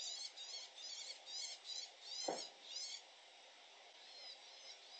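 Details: Possible woodchat shrike in Lince territory, Spain, on 30 June 2021. One perched on the highest perch minutes earlier; BirdNET says shrike, but some observers doubt it. High, scratchy chattering bursts, about two a second, broken midway by a dull knock.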